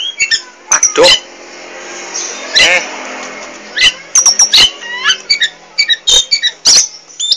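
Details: Poci Oriental magpie-robin singing chattily: sharp clicks and short high whistles in bursts, with a harsher lower voice-like sound in the first half.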